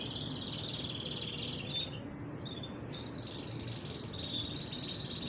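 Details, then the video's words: Male canaries taking turns singing nonstop, heard as a long, even, high trill held at one pitch with a brief break midway, then resuming over a low background hum. "Два кенара поют по очереди, без остановки."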